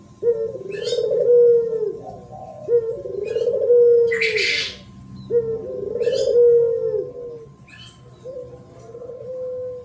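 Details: Spotted dove singing in the thổ pháp style, used to provoke males and females: low, hoarse coo phrases repeated about every two to three seconds. Small birds chirp high above, and a steady electronic hum runs throughout.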